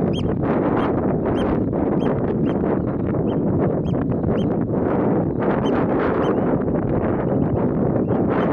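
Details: Eurasian oystercatcher at Boterhuispolder, the Netherlands, recorded 21 May 2022, giving sharp, high piping notes about every half second, partly buried under strong roaring wind.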